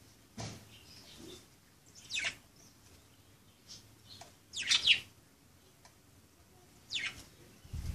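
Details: Playing budgerigars give scattered bright, scratchy chirps, roughly one every second or two, in a quiet indoor-sounding setting with a low thump at the end.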